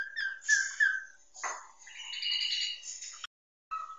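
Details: Nias hill myna song, a training master for songbirds advised for morning or evening: whistled notes with two sharp accents, a brief rough downward sweep, then a long wavering whistled phrase, a pause and a final whistle.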